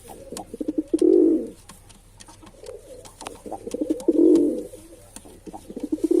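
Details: Two drawn-out, low, rolling coos from a male pigeon, three seconds apart, each preceded by a run of quick soft hooting notes.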